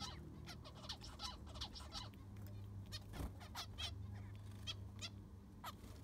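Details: Several zebra finches in an aviary during cleaning with fresh sand, uttering brief nasal calls at irregular intervals over a constant low hum and occasional scraping.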